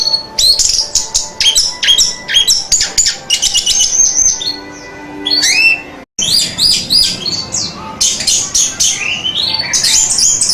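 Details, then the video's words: Orange-headed thrush in full song, recorded as a master track for training kept birds: fast, varied bursts of sharp high chirps and downslurred whistles, with a short pause midway before the phrases resume. "Masteran Suara Burung Anis Merah"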